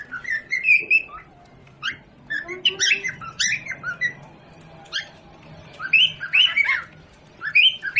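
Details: Parrot kept at home, with a baby nearby, giving irregular bursts of squeaky chatter and short whistled chirps, some rising and some falling, grouped in clusters with short silences between.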